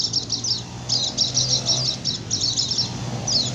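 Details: White-eye 'ngecir' lure song for attracting wild birds and stirring others to sing: fainter high twittering phrases and a few sharp chips, partly masked by steady low hum and background noise.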